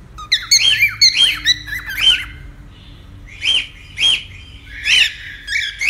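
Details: Pet cockatiel, recorded for taming a cockatiel: sharp, rising-falling chirped calls repeated roughly every half second to second, each bright and harmonic, over a soft low hum.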